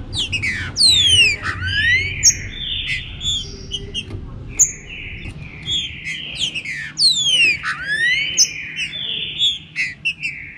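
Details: Green-winged saltator warming up its 'chuva com boi' song: a repeated phrase of rapid falling sweeps leading into long level whistles, given twice about six seconds apart, with scattered chips and a low steady rumble beneath.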